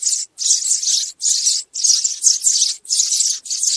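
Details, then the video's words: Sparrows calling the flock, used to attract birds to a trap; busy, high-pitched chirruping in overlapping bursts, a few close together, with brief gaps in between. "TIẾNG CHIM SẺ GOI ĐÀN DÙNG ĐỂ BẪY"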